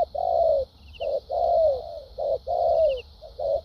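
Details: Spotted dove decoy cooing thúc gù style: alternating short coos and long smooth descending coos in a steady rhythm, mellow and loud, over a faint high-pitched buzz.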